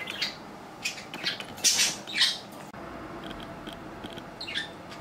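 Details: A pet budgerigar, 3 years 5 months old, kept indoors as the weather turns cold, gives harsh, scratchy squawks and short chirps in uneven bursts, loudest near the middle, then softer thin whistled notes, in a quiet room.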